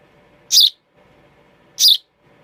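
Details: Baby sparrow giving two short, harsh, high chirps about a second apart, each a brief noisy burst, with faint low background hum between them.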